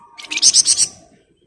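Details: ["Short 'ngebren' burst from a flamboyan bird: about four loud, high, buzzy pulses in quick succession, fading out within a second."]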